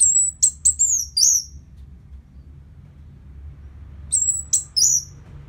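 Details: Orange-headed thrush song used as a lure after moulting to make the bird more aggressive: short, very high whistled notes and slurs in two bursts separated by about three seconds of quiet, with a low hum underneath.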